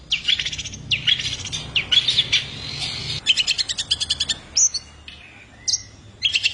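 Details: Long-tailed shrike in lively full-spit song with rich material: varied scratchy phrases, rattling trills and sharp upslurred whistles, set off by brief pauses, with a few clear short whistled notes toward the end.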